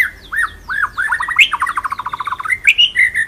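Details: White-rumped shama tutor song in rolling style: varied looping whistled notes, then a fast stuttering series of rich chattering notes, ending in sharp upward whistles.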